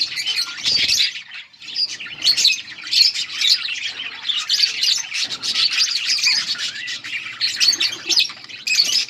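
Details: Colony of budgerigars feeding and chirping: a long, unbroken wash of high chattering and squeaky warbles, pulsing in waves, with a few faint low knocks.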